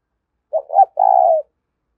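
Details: A single 'thúc' cooing phrase of a spotted dove, the kind of voice used to lure wild doves: two brief low notes, a short pause, then one sustained mellow coo fading at the end.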